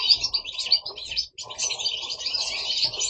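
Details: Several caged goldfinches singing indoors at home in Italy: a dense, rapid stream of high twittering and tinkling notes, almost unbroken, with one brief pause near the middle.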